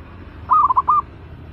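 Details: A single crisp phrase from a fierce caged zebra dove being readied as a trapping decoy: five rapid, slightly warbling coo notes at a steady mid pitch, with the last note drawn out a little longer.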